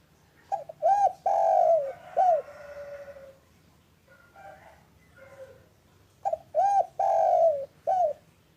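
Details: Local spotted dove calling in the afternoon, used as a lure to get other doves calling: a phrase of mellow, hooting coo notes including a longer drawn-out coo, softer notes, then the phrase repeated over a low background hum.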